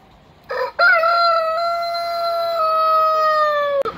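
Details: Rooster crow during a crowing lesson in which a young Ayam Cemani cockerel is taught by a large Brahma rooster: a short rough note, then one long, steady, drawn-out tone held about three seconds and dropping slightly at the end, followed by a sharp click.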